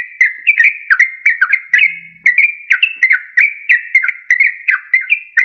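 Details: Sooty-headed bulbul, used as a lure to trap wild birds and to coax reluctant caged birds into singing; a bright, clean run of short whistled notes, each slurring up and down, repeated rapidly around three per second without pause.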